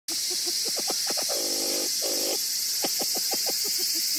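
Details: Copper pheasant (Syrmaticus soemmerringii) at Awajigatoge, Matsuyama, on a cloudy 31 July 2018, gives short squeaky notes in quick runs, broken by two longer buzzy, rattling calls, over a steady hiss.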